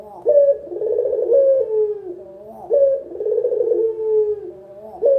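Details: A local spotted dove calls as a trapping lure, its low hollow coos sounding in connected phrases: a clipped first note followed by a bubbling, drawn-out coo that sinks slightly in pitch, returning about every two and a half seconds.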